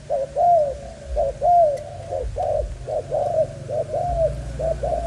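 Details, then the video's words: Young spotted dove of Malaysian stock repeating mellow coos, a clipped note then a longer arched one, pairs spaced about a second apart, over a low background hum. "Cu gáy Malaysia"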